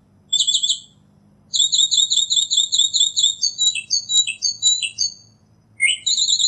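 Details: Northern mockingbird singing in nature with a long, unbroken run of rapid repeated notes that shifts into a new, more complex pattern midway, then pauses before a fresh phrase.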